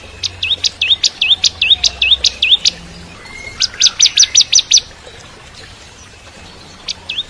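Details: Active Bar-winged prinia song for training white-rumped shamas: about ten hooked whistles in a steady string, then a fast run of six sharp notes, a pause, and one final swoop.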